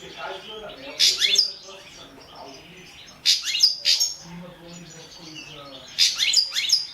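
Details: Caged European goldfinch, subspecies balcanica, entered in a world championship of goldfinch song held in Serbia, 2017; bursts of bright, twittering high notes come in three clusters about two to three seconds apart, with quiet gaps between.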